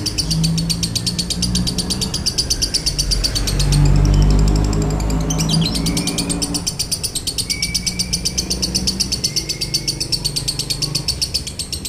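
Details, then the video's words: Lovebird 'konslet' song with a dry tone, played to encourage other lovebirds: rapid high chattering pulses, masked midway by a surge of low rumbling noise, then resuming with a few short whistled slurs among the chatter. "MASTERAN LOVEBIRD KONSLET NADA KERING | PANCINGAN SUARA LOVEBIRD KONSLET"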